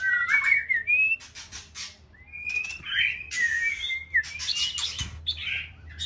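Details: Six-month-old white-rumped shama practising its song: clear whistled phrases that slide up and down, with some scratchy notes mixed in, over a steady low hum.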